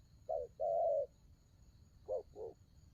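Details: Spotted dove, cooing in two pairs of soft, hollow notes, a short note then a longer sustained one, repeated after a pause, with a faint high steady hiss behind.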